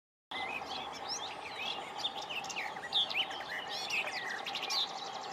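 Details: Garden warbler at Yarner Wood, 25 May 2020, singing a fast, continuous, mellow warble of varied notes over a steady background hum.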